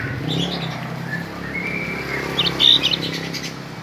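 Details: Cinereous tit, a kept bird, gives thin whistled notes, then a quick burst of high, rapid chirps that mimic a bar-winged prinia. A low background rumble runs throughout.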